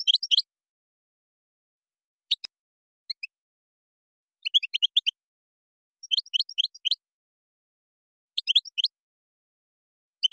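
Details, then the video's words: Moroccan European goldfinch singing in the gazarat and srrr bertbertiu style: brief, sparse, high tinkling chirps and short twittered phrases scattered across the recording, separated by quiet pauses. "تغريد مغربي ڨازرات + سررر برتبرتيو canto jilguero marocco"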